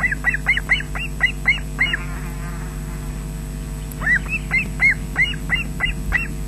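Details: Osprey at a nest in Loch Garten, Scotland, on 20 June 2012 around midday, with an adult male delivering fish to chicks: two bursts of rapid, repeated high whistled chirps, each dropping slightly, with steady low webcam hum beneath.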